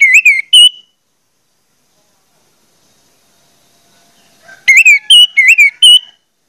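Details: Orange-headed thrush song meant to prompt other orange-headed thrushes to sing quickly: a short burst of whistles, nearly four seconds of silence, then a phrase of five loud, clear, slurred whistled notes.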